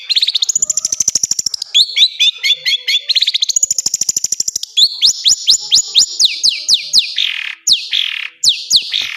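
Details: Long-tailed shrike training song: buzzy rattling trills alternating with runs of clear whistled notes, then a steady series of sharp downslurred whistles, about two each second.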